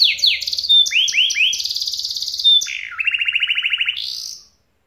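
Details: Roll-speed canary song: bright downward-sweeping whistles repeated in quick succession, a sustained high buzz, then a lower rapid trill rising into a final whistle before stopping.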